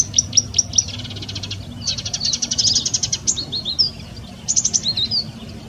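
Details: Marsh warbler singing: a few sharp, high chips, then long buzzy, rattling trills, followed by quick twittered and slurred notes, its song known to weave in copies of other birds' calls.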